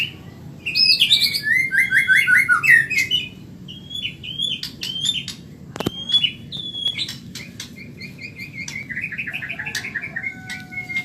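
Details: Fast-singing Medan white-rumped shama, recorded for training caged birds: bright rapid trilled runs followed by spaced clear whistles, a few sharp clicks, and a final fluttering trill with long level notes, over faint background hiss.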